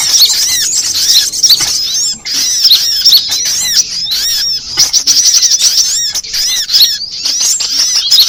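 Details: Lure recording for trapping sunbirds: rapid, high, squeaky chirps and curved whistled notes tumbling over each other, loud and nearly continuous, with a few short pauses.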